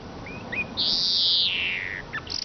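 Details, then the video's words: Eurasian siskin giving a long, loud, drawn-out wheezing note that slides downward, set among a few short thin chirps. Steady background hiss is heard. "iskete kusu sesi"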